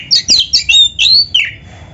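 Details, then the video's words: Oriental magpie-robin, masteran for songbird training, giving five or six quick, buzzy high notes in a short run, ending on a drawn-out whistle. "Suara Burung Kacer yang cocok untuk Latihan kicau"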